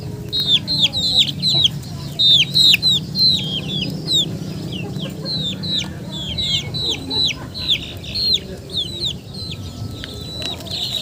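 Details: Chickens giving clear, high descending peeps in pulsing runs of several notes, repeated about three times a second, with short gaps and a steady low hum beneath.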